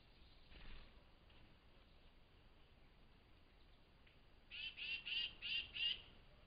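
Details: Tufted titmouse excitedly calling at dawn by a flying squirrel feeding station; after a few faint notes and quiet, a burst of four buzzy, harsh calls arrives near the end, with steady low background noise.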